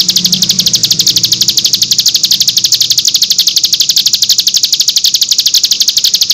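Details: Cigun song of the nembak variety, meant as tutor song for birds in training: an unbroken, machine-gun-like trill of high, buzzy notes, very even in rhythm throughout, with soft low background noise.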